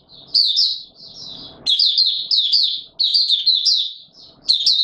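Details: In warm humid weather on 20 March 2022, a white-eye known as Mata Puteh Raja sings. Short bursts of thin, rapid twitters come about once a second, with soft rustling between them.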